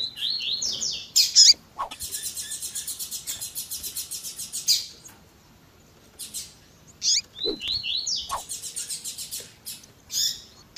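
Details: Male-stimulating mix of Double-collared seedeater 'tui tui zel zel' song and female calls: rising slurred notes leading into a long, loud, buzzy pulsed trill lasting about three seconds, the sequence repeated twice.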